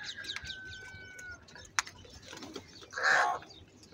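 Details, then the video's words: Crow giving a loud, angry call: one harsh, hoarse caw near the end. It follows thin, steady whistles from another bird and a sharp click. "Very loud voice of Crow sound - Angry kauwa ki awaz"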